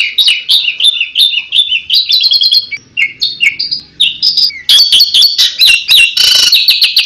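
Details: Tembakan-style song of an Asian pied starling, claimed to lure any bird: quick chattering phrases of bright whistles and squeaky notes, a brief quieter dip near the third second, then a dense, harsh, loud outburst.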